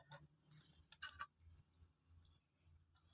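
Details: Newly hatched Common Moorhen, two days old, during a lesson in eating pellet feed: thin, high arched peeps, about three per second, broken by sharp clicks and rustling.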